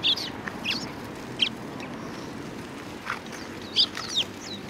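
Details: Sparrows gathering at food at a Tenmangu shrine on 19 April 2019; short, bright chirps come in scattered bursts, several overlapping, over a steady low background hum.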